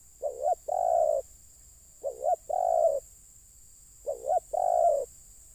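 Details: Spotted dove calling to lure wild birds down: a two-part cooing phrase, a short wavering coo followed by a longer steady coo, repeated about every two seconds, with a constant high hiss in the background.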